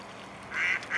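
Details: Mute swan family recorded on 15 September 2015 at 19:05; two short nasal, slightly buzzy calls follow each other in about half a second over a low background hiss.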